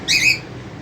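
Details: Cockatiel at a family cage where the father feeds the chicks; a single brief raspy screech with bright overtones, fading quickly into quiet room hum.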